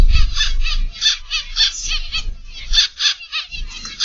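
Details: Several Zebra Finches in an aviary, from a live stream on the afternoon or evening of 22 October 2021, give strings of nasal, buzzy, trumpet-like notes several times a second over a low rumbling hum.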